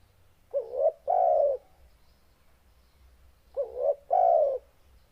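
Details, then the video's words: Loud, deep spotted dove coo. Two phrases, each a short hooked rising note then a drawn-out, level, mellow coo, separated by about three seconds of quiet. "Suara Burung Tekukur NGEBASS Suara BESAR Dan GACOR"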